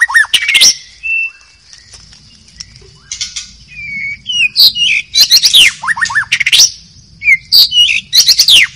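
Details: Wild White-rumped shama in forest, singing a varied run of loud sweeping whistles, clipped chirps and quick descending notes, with pauses of soft warbling and a constant high background hum.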